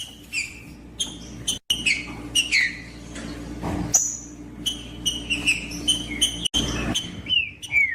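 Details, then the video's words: Green-winged saltator in the woods, sound meant to provoke a rival bird: series of whistled, down-slurred notes with short gaps and two abrupt cuts, over a constant low hum. "ESQUENTAR TRINCA FERRO RÁPIDO COM TRINCA FERRO FRIO NO MATO"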